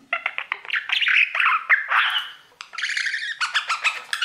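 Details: Male pet budgerigar warbling at its mirror: quick stuttering chirps and buzzy trills running together, a short gap midway, then a brighter burst of dense scratchy notes.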